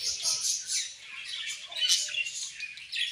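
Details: Colorful budgies give dense, high-pitched chirping and warbling, with overlapping scratchy notes from many birds at once.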